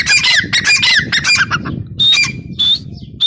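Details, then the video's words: Female grey francolin (teetar) giving a quick cluster of coarse squawks, then three separate shrill, ringing notes, with low-pitched background noise throughout. "Teetar ki awaz | gray francolin teetar sound | female teetar voice"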